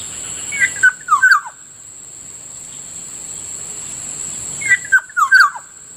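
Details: Black-naped oriole, locally Kilyawan, heard in the morning by a rice field: two matching bursts of mellow fluty whistles, each a quick liquid phrase of falling notes, about four seconds apart, over a constant high insect whine.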